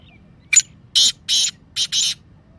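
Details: Kala teetar, the black francolin, giving its 'masti' call, played to set silent pet birds calling: one short sharp note, then three loud rasping, buzzy bursts, the last two run close together, over quiet background.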